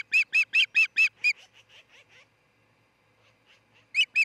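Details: Osprey at a nest near Charlo, Montana, caught by a nest camera on the morning of 26 June 2018, where a pair is building a nest and mating. Six loud, sharp, evenly spaced cheeping notes fade into softer ones, then two more loud notes.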